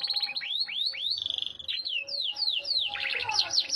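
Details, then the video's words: Yorkshire canary song of slow looping whistles that swoop up and down, a held steady note, then a faster, denser burst of trilled notes at the end, over a soft hum. "KICAU KENARI YORKSHIRE"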